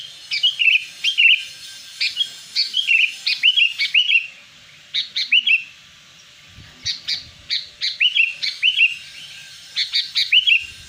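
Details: Sooty-headed bulbul lure recording used to draw in wild birds: bright chirping phrases of short rising-falling notes, in quick bursts of four to eight with brief pauses, over a faint low hum.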